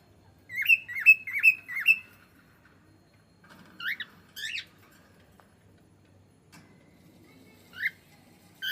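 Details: Pet cockatiel said to be talking: a quick run of four loud, whistled chirps that flick up and down, then scattered single rising whistles with pauses between, over quiet room background.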